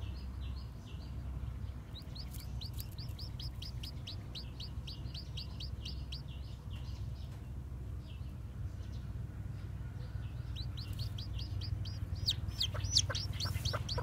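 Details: White bantam chicks with black tails, newly hatched, wander around and peep steadily. Thin, high chirps come in rapid bursts, pause briefly, then resume more loudly at the end, above constant low-pitched background hum.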